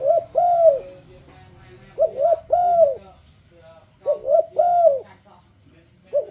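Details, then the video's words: Turtle dove calling, the sound used to lure other turtle doves into singing along. Soft, low, hollow coos come in groups of two or three notes, each group about two seconds apart. The background is faint. "A turledove makes a beautiful sound."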